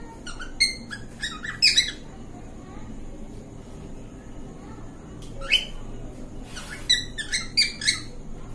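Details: A cockatiel (Nymphicus hollandicus) gives bright, chirpy whistles in quick bursts as a courtship mating call.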